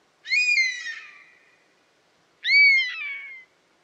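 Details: European honey buzzard giving two drawn-out, plaintive whistled calls, each rising sharply then sliding slowly down, rich in overtones, about two seconds apart, in an otherwise quiet setting.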